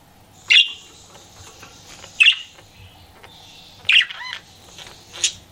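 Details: Flirting pet budgie gives four sharp chirps spaced over five seconds, one followed by a short wavering trill, with soft background chatter.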